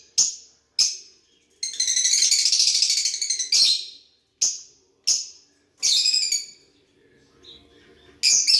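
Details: Lovebirds interacting with each other: sharp, high chirps in quick bursts, with a longer buzzy, chattering run in the middle and a shorter one near the end, each burst separated by brief silences.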